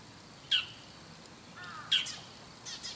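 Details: A bull-headed shrike calling in the morning from high in a tall tree while looking around gives harsh, high, scratchy calls, three short bursts about a second apart, each sharp and grating with a quick downward slur.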